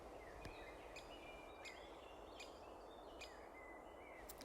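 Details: A young Great Spotted Woodpecker chick at its nest, readying to fledge, in Gloucestershire woodland in spring 2020, gives sharp, clipped pips at irregular intervals of about a second as begging meeps give way to mature pipping, over thin whistles and hiss.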